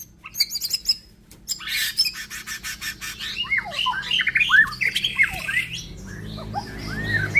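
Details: White-rumped shama, an F5 cross of Bordanias and Balak Sabang lines, sings a fast, varied phrase of sharp chips, harsh squawky notes and sweeping slurred whistles that run on without pause.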